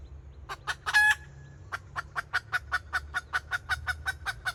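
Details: A red junglefowl decoy hen calls in kataak style, 2024. A few clucks lead into one strong raspy squawk, followed by a long, regular series of short clucks about four per second.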